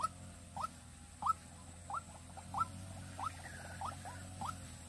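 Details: White-breasted waterhen kept as a decoy bird for luring, in Vinh Long: short notes that rise then sharply drop, repeated about every two-thirds of a second, fairly faint over a steady low hum.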